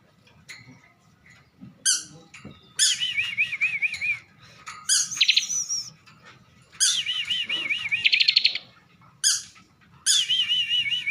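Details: Caged bar-winged prinia from Slawi, Tegal, Central Java, singing its rich filled song. Varied phrases include rolling wavy whistles, high thin notes and a short buzzy rattle. The bird sings in bursts with soft background noise between.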